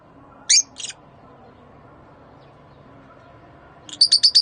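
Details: Rosy-faced and Fischer's lovebirds, a mating call used to stimulate breeding: a pair of shrill, high chirps, a long pause, then a quick run of four sharp chirps over faint background hum.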